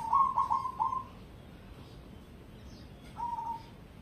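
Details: Zebra dove of the cemani type, bred for contests, singing four quick staccato coos in about a second, a pause, then one drawn-out soft coo.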